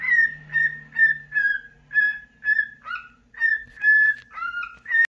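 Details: Cockatiel in a cheerful morning song after waking, continuing as another bird comes close; steady chain of short whistled notes about one per half second, occasional dipping two-part whistles, faint low hum at the start.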